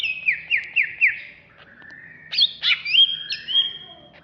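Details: Greater green leafbird of the Banyuwangi type singing ngentrok in an agitated mood: four quick falling slurs, a lower warble, then sharp upward-sweeping notes and a long, high, level whistle.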